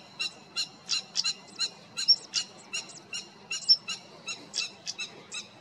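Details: European stonechat recorded 28 June 2022 in the Cértima river valley, Águeda municipality: scattered dry clicking notes at uneven intervals mixed with short, high, looping whistles. Soft background hum.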